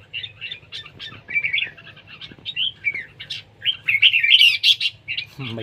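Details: Red-whiskered bulbul at a singing competition, a style called siêng ché: a quick run of bright, warbled whistled phrases at a lively pace, rising to a dense burst near the end, over a low steady hum.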